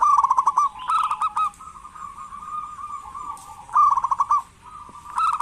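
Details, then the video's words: Zebra dove, a local bird in full voice, used to coax lazy doves into calling: quick trilled phrases, a long drawn rolling coo, then another fast burst. "Perkutut lokal gacor pancingan perkutut malas agar bunyi"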